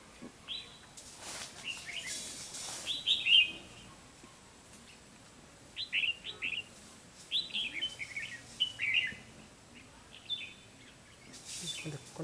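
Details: Red-whiskered bulbul used as a lure bird in trap-fighting, singing to draw in a rival; short bright warbled phrases come in bursts every second or two, with brief gaps and faint rustling between them.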